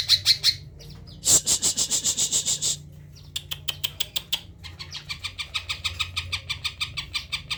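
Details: A tame Greater green leafbird sings abundant isian on being approached: clear high notes, a loud buzzy high series, then crisp spaced chirps speeding into rapid repeated phrases, over a low hum.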